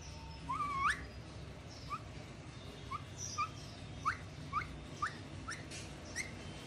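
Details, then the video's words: Alexandrine parakeet whistling while preening: a series of short, upward-sweeping whistled notes, about one every half second, with a longer rising whistle near the start, over low steady background hum. "Alexanderine Parakeet Whistling | Preening Parrot"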